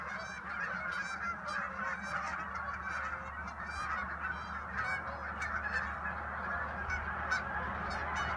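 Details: Geese heard around a house, returning in spring and fall: a dense, continuous chorus of many overlapping nasal honks, forming a steady noisy wash with no single bird standing out.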